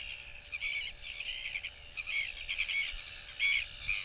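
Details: Young royal albatross whistling in display to nearby chicks, recorded 8 July 2023: high, quavering whistled phrases pulsing roughly every half second to second, with a low electrical hum and soft background noise.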